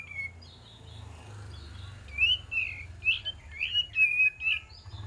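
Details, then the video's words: Sooty-headed bulbul singing as a lure recording, a run of clear whistled, slightly warbling notes gathering pace in the second half over a steady low hum. "PANCINGAN KAPAS TEMBAK DIJAMIN NYAUT"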